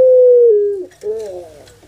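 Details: Kept puter pelung dove from Java, Indonesia, in anggungan song: a smooth, steady tone that slips downward and fades, followed after a short gap by a lower, wavering, gurgled coo.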